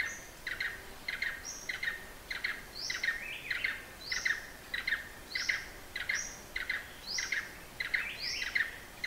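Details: Blue-eared barbet recorded in Hala-Bala Wildlife Sanctuary in Thailand's far south, giving rapid paired pulsed notes over and over, roughly one pair every half second, while a higher upslurred whistle recurs between the pairs.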